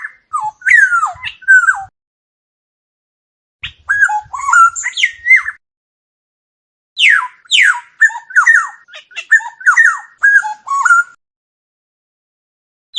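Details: Black-naped oriole singing with no background noise: three bursts of fluty, liquid whistled phrases mixing downslurs and quick twisting notes, separated by silent gaps of about two seconds.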